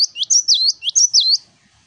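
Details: Lively cinereous tit (gelatik batu) singing the 'wucit wucit' song used to train other birds: five rapid, loud, high whistled notes that swoop down and up, run together as one phrase.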